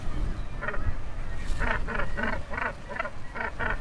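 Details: Northern gannet in the Orkney Islands, Scotland, gives harsh, grating croaks repeated rapidly about three times a second over a steady low rumble.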